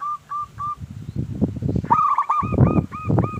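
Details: Local zebra dove cooing, played to coax other doves into singing: short clipped coos, then a rapid rolling phrase, partly masked by heavy low knocking and rustling noise.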